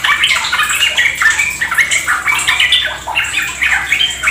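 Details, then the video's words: Yellow-vented Bulbuls pouring out quick, overlapping bubbly phrases and short whistled slurs in a busy chorus, recorded as a lure to prompt fast ropel song in caged birds. "Pancingan trucukan agar ikut ropel gacor"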